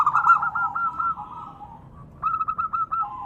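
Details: A female zebra dove calls the male with a quick rolling phrase of coos that fades out, a pause of about half a second, then another short crisp run of hooked notes.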